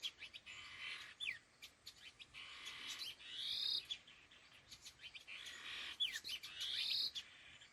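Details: Laughingthrush (khứu lùn) calling: several rough, noisy bursts with short thin whistles in between, a few quick descending chips, and near-silent pauses separating the louder phrases.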